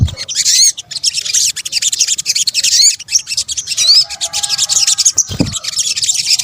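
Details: Sunbird lure mix, local name sogok ontong in Indonesia: steady rapid high chattering with occasional sharp rising whistles, a faint lower tone midway and a dull knock near the end.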